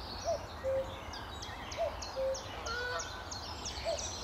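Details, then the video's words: Common cuckoo calling on a sunny May 2014 morning at Amwell Nature Reserve by a lake: repeated two-note cu-coo, the first note higher and the second lower and flat, three times, with high chirps from other birds behind. "Cuckoo at Amwell Nature Reserve - May 2014"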